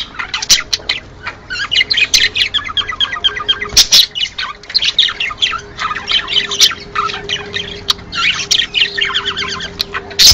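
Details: Budgerigars in a recording played to encourage them to breed: a dense, continuous warbling chatter of quick chirps, squeaks and scratchy squawks, with a faint steady hum underneath.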